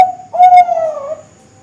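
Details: Bangkok zebra dove, a young bird kept for contests and breeding: a single brief mid-pitched coo that swells, then slides slightly downward and fades, with nothing else audible.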